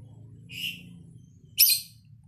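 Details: Lovebird in the erratic "ambrol" singing style: two short harsh high chirps about a second apart, the second louder and rougher, over a soft low hum.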